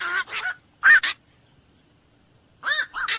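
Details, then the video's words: Nocturnal black-crowned night heron giving rough, drawn croaks in two bursts separated by about a second and a half of quiet. "SUARA BURUNG KOAK MALAM"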